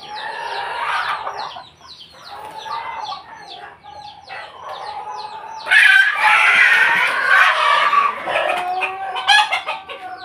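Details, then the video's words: Pelung chickens kept in a house yard in Jogja, Indonesia: a long, drawn-out rooster crow holding steady around the middle register, then a louder, harsher stretch, with overlapping clucks and other fowl calling throughout. "halaman rumah ayam pelung jogja"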